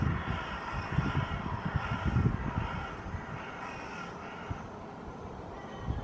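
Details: Hooded crows perched on an apartment rooftop in Helsinki, Finland, in August 2024, moving in coordination and calling to other crows nearby; harsh, repeated caws sound at irregular intervals over a steady low rumble of traffic or aircraft.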